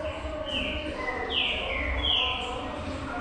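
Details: Green-winged saltator, locally trinca-ferro, singing; clear whistled notes sliding downward, each about half a second long, over a low background hum.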